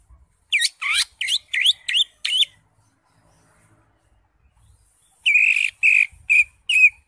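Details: {'caption': 'Energetic green leafbird song meant to coax a silent caged bird into singing: six rapid sweeping whistled notes, a short pause, then five harsher, buzzier notes repeated in quick succession. The background is quiet.'}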